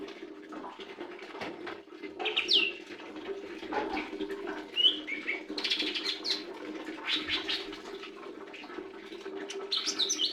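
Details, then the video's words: Lesser green leafbird singing a loose, varied string of sharp chirps and short whistled notes, some rising, with brief pauses between bursts, over a steady low hum throughout. "Burung Hijau Daun Kecil"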